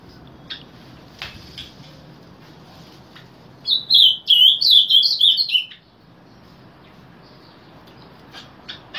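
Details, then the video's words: A Summer tanager sings at its regular 7 am morning time: a burst of about two seconds of rich, choppy warbled phrases, each slurred up and down, stands out against faint background chips and ticks. "Reina Mora Cantando Por Las Mañanas"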